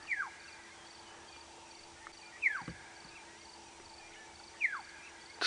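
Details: A distant black-headed oriole calling on a safari drive just before sunrise on 7 May 2017, World Dawn Chorus Day: three slurred, downward notes about two seconds apart, over a low hum and faint insect ticking.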